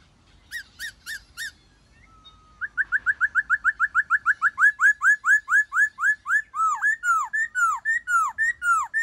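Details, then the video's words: Black-throated laughingthrush singing in its forest-style voice, played to spur captive birds to sing: a few short bright notes, a pause, then a fast even run of whistled notes speeding into looping, down-slurred whistles. "Khướu Hót giọng rừng"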